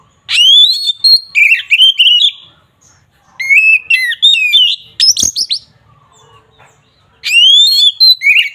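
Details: Oriental magpie-robin (kacer) singing agitated ngeplong to stir up rivals: three bursts of loud upslurred whistles and chattering repeated notes, one sharp click in the middle.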